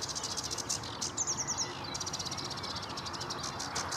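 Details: Singing sedge warbler at Vange Marsh RSPB, recorded in May: quick repeated dry ticking notes, a short sweet whistled phrase, then more rapid rhythmic chattering, with steady low rumble underneath.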